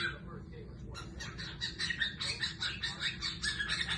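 A cockatiel sings a run of bright, chirpy warbling notes over a low background hum.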